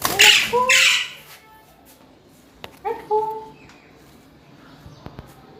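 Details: Parrot kept as a pet gives two loud raspy squawks, then after a pause a short whistled rising note with harmonics, followed by faint clicks.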